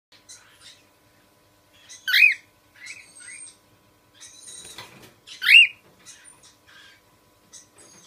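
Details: Cockatiel calling: two loud, arched, rising-then-falling screeches about three seconds apart, with softer short chirps and twittering notes scattered between them in an otherwise quiet setting.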